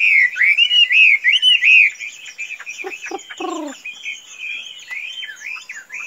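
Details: Chinese hwamei described as tame as a chicken gives two seconds of loud wavering whistles, followed by softer warbling over scattered knocks and short low thuds.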